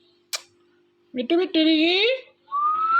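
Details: Pet Ringneck parrot indoors, talking while watching a phone: a loud clipped syllable, then a long nasal harmonic word with falling-rising pitch, ending in a rising whistle; steady low electrical hum underneath.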